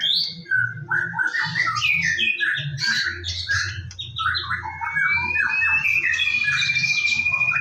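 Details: Morning song of a white-rumped shama, played to draw other birds into song: dense, rapid chattering and whistled notes, then a long, slightly wavering whistle held for about two seconds, with a low background hum.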